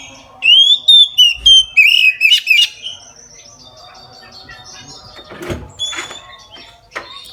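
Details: Oriental magpie-robin in full midday song, meant to draw other magpie-robins into singing: a burst of clear, loud whistled notes and sweeping slurs in the opening seconds, then softer scattered chips and twitters.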